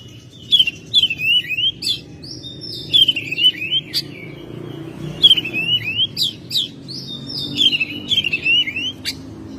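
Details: Caged Oriental magpie-robin at home in May repeating a whistled phrase of looping slurs and sharp clicks about every two to three seconds, a loud and steady song over faint low hum.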